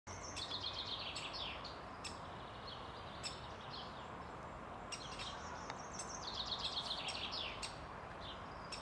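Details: Great spotted woodpecker in Ljubljana Botanical Garden, Slovenia, on 31 May 2023: sharp ticking notes and two bursts of fast, high chattering, each about a second long, over a steady hiss of distant background noise.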